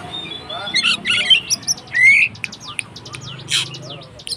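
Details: White-rumped shama fighting song for provoking other shamas, a busy stream of harsh chattering and clicking notes with one clear rising whistle in the middle, over low hum.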